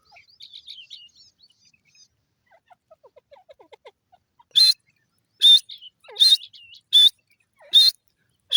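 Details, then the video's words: Grey francolin calling: after about four seconds of faint, scattered chirps from small birds, loud harsh high notes begin and repeat roughly every 0.8 seconds, six in a row. "teetar bird voice,teeter awaz,teeter sound"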